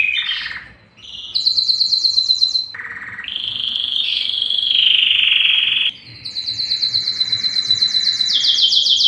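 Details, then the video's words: Singing Belgian canary in its loudest breeding song meant to attract females: varied phrases of fast rhythmic trills, buzzy rolls and a long held ringing tone, changing abruptly between segments. "O canto mais forte do canário belga que atrai as fêmeas para a reprodução"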